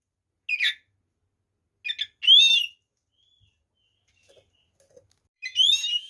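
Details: White-rumped shama used to goad other shamas, giving a few short separate bursts: harsh chirped notes and a rich rising whistle, spaced by silent gaps of one to three seconds.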